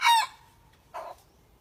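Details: A young decoy junglefowl learning to crow gives a loud, harsh burst that fades into a thin trailing tone. A second, shorter rough syllable follows after a brief pause, with little else audible.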